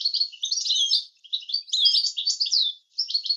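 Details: European goldfinch singing a clean tutoring song of the approved 'language' style: rapid liquid twittering and tinkling trills in two bursts with a short pause, no background sounds.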